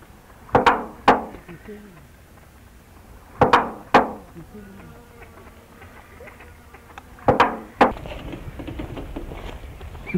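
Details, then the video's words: An Australian musk duck, which learned to imitate human speech, repeats the phrase 'you bloody fool' three times, each a pair of abrupt, gruff bursts a few seconds apart, over a quiet background. "can say 'you bloody fool' after learning to imitate human speech"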